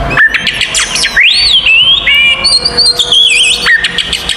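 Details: Kacer, the oriental magpie-robin, giving an aggressive fighting song used to stir other magpie-robins: clear rising and falling whistles, a long wavering high phrase, with short sharp chips between, loud and continuous.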